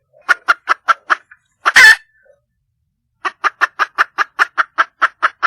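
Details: Red junglefowl hen in the wild calling for a mate, giving rapid, even clucks, then one loud raspy squawk, a silent gap of over a second, and a fresh run of a dozen clucks.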